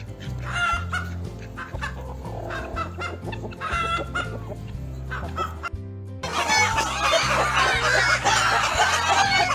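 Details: Farm chicken giving repeated quick clucks and cackling, growing denser and noisier in the second half, over continuous background music.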